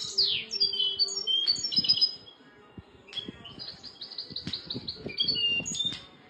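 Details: European goldfinch delivering bursts of fast, liquid twittering and sharp high chips, a loud opening burst followed by a softer run of rapid notes with faint low clicks in the background.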